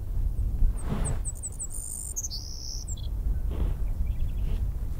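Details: One of a pair of Upland Sandpipers in an open hay field at Sax-Zim Bog, Minnesota, on a sunny, calm, cold morning of May 4, 2020, gives thin, very high chirps building into a long whistle, then stepping lower, over wind rumble.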